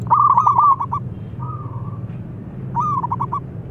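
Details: 'Crystal voice' zebra dove song used as a lure to stir lazy singers: loud ringing coo breaking into a fast string of clipped notes, a pause with a softer drawn coo, then the stuttering pattern again, over a low background hum.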